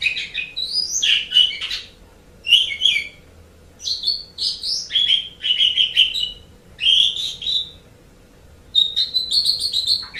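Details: Asian pied starling song for pet bird tutoring: repeated bursts of fast, jumbled whistles and scratchy clicks, each about one second long, separated by brief silences.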